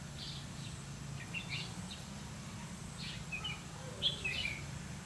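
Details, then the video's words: Red-whiskered bulbul filmed while being trapped on 30 May 2016: brief clear chirps come first, then a quicker cluster of sharp warbled notes toward the end, over a low steady hum. "Bẫy chào mào lăng săng ché-cánh các kiểu"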